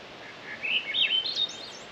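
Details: On a horse trail in West Glacier, Glacier National Park, Montana, among blooming wildflowers, a Swainson's thrush sings a soft, fluting phrase spiralling upward over about a second. It sounds faint and distant, as these thrushes can when singing quietly, against quiet hiss.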